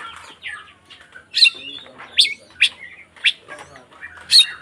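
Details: White-rumped shama, a fighting song used to provoke other shamas, given as loud bursts of rich, varied notes about once a second between quieter chattering phrases.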